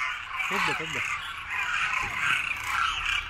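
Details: A dense, continuous chorus of demoiselle cranes en masse at a winter grain-feeding site in Khichan village, Rajasthan, gives a steady wall of rasping, trumpeting calls, with a man's voice speaking briefly over it.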